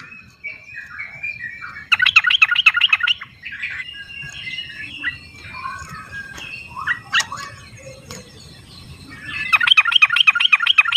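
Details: Yellow-vented bulbuls calling back and forth in the wild, used as a lure for reluctant singers. Fast trilled bursts of bubbly notes start and end the clip, with varied whistles from other birds between them over steady background hiss.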